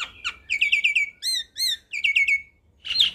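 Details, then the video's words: Javan myna in full song, recorded to tutor young mynas: rapid chattering phrases of bright notes with two clear downslurred whistles between them, ending in a scratchy burst. "Suara Khas Jalak Kebo Makun Gacor Sangat Cocok di Putarkan Ke Jalak Kebo Muda Untuk Masteran"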